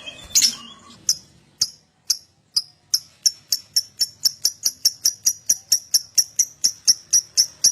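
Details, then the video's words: Lovebird calling, used as a prompt to set other lovebirds singing: sharp high chips start slowly, then speed into an even series, several per second, each a short clipped note. "Pancingan Love Bird Agar Cepat Ngekek"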